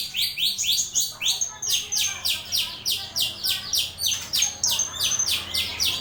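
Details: A starling sings for tutoring other birds, giving fast, repeated rasping notes that slide downward, about three or four each second, with a faint thin whistle running behind them.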